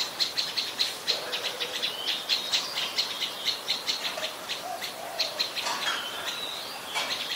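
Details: Adult Common Tailorbird at Ubon Ratchathani, Thailand, 12 February 2023, a common resident: fast series of sharp high chips repeated over several seconds, mixed with fainter sweeping whistles from other birds in the background.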